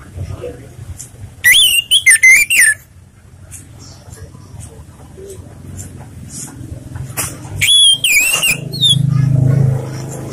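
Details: Orange-headed thrush in relaxed song used as a lure: two bursts of rapid, loud whistled notes with slurred, wavering pitch, separated by several seconds of background talk and low hum.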